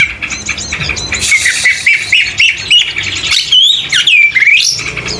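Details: Kacer, the Oriental magpie-robin, in full song: rapid chattering and harsh notes at first, then loud clear whistles that swoop down and back up, one ending in a long rising slur.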